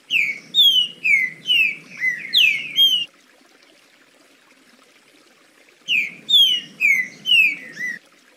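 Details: Trinca-ferro, the green-winged saltator, in 'liso' song: a run of seven rich, downslurred whistles lasting about three seconds, a pause of nearly three seconds, then the phrase begins again. A soft low hiss accompanies the notes.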